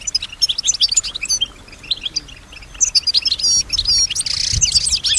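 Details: Singing female goldfinch kept in captivity, mimicking nearby sounds: high twittering notes and whistled slurs, a harsh buzzy burst near the end, and a low thump.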